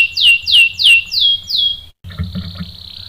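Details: Canary bait song for stirring a male to sing: five loud, descending whistled notes spaced about a third of a second apart. A sudden break follows, then a quieter steady tone over low background noise.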